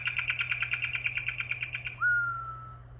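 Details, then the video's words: Corrupião heard more quietly: a quick, even series of about fifteen short notes for two seconds, then one long, slightly falling clear whistle, against a noisy background hum. "canto do corrupião sofreu"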